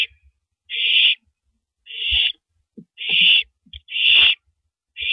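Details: Owl at 3:33 AM on April 9, 2012, shredding a big rabbit before swallowing it whole; five harsh, hissing screeches, each about half a second long, come roughly every second, with soft low thumps from feeding between them.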